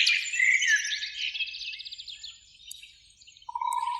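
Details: Eurasian blackbird singing in a springtime beech tree by a lake on an evening, one of two birds: a loud fluty warble opens, then a rapid high trill fades out, with a steady mid-pitched whistled note near the end.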